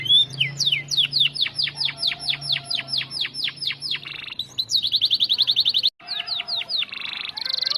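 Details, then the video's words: Canary song for training White-rumped Shamas: a long series of steep downward-sweeping whistles about three per second, then a rapid rising buzz and fast trill, with a brief break. "Full bongkar isian Kenari Gacor Untuk Pancingan dan Masteran Burung Murai Batu"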